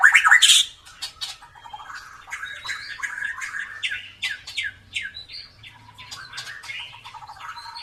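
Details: White-rumped shama, drooping-tailed, in persistent song meant to stir quiet birds into singing. A loud harsh burst comes first, then rapid rows of short downslurred chips and thin whistles, repeated several times a second.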